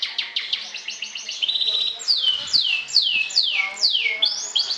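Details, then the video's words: Atlantic canary of the kenari sobek type singing champion trills to provoke rivals: a quick pulsed trill, a level buzzing run, then five loud descending whistled sweeps about every half second. "SUARA KENARI SOBEK SOBEK JUARA NGETRIL TAKLUKAN LAWAN, PANCING EMOSI!!!"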